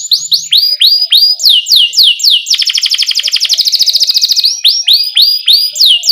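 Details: Canary in full song, used as a tutor for young canaries just learning to sing: rapid high chirps, each swooping downward, repeated several times a second, broken by a fast buzzy roll of dense pulses before the chirps return.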